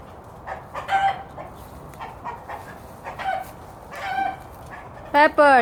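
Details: Rooster warning hens to take cover from a hawk or danger; scattered harsh clucks and squawks, ending in a sudden loud rising crow-like cry.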